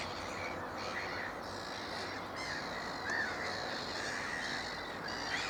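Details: Juvenile black-headed gulls at Moors Pool wetland, Upton Warren, Worcestershire, UK, on 13 June 2019 give harsh squawking calls and thin rising squeals amid a busy, noisy colony background.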